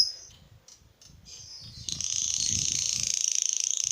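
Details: Lovebird singing to set other lovebirds off: a few soft high notes, then from about two seconds a loud, continuous, rapid buzzy trill that chatters steadily at high pitch until the end.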